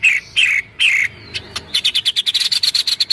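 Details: White-rumped shama giving kretekan rattling calls, recorded 24 January 2023 and used to provoke other birds: three loud buzzy whistled notes, a pause, then a fast run of about fifteen sharp clicking notes.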